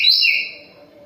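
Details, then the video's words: A brief, loud, clear whistled phrase from a moulting tledekan gunung (Sunda robin), falling slightly in pitch and fading out within half a second. "KICAUAN TLEDEKAN GUNUNG, mabung tetap gacor"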